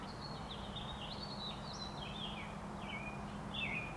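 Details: American Robins singing on 28 April 2019, a continuous run of clear, caroling whistled phrases, each rising then dropping, strung together almost without pause over a low background hum.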